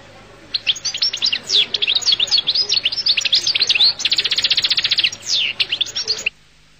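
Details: Collo (القل) goldfinch in a long, energetic song of quick high twitters, a fast even trill of repeated notes midway, and more jingling phrases before stopping abruptly.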